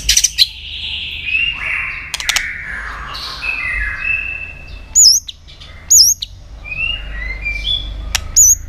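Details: Varied song of a White-rumped shama, meant to excite and train other shamas to sing; smooth drawn-out whistles gliding downward, sharp snapping clicks, and high looping notes repeated about once a second near the end.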